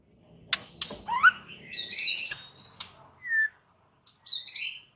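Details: White-rumped shama song meant to stir rival males: sharp ticks, rising whistled slurs and a long drawn high whistle, phrases spaced with short pauses, faint low background rumble.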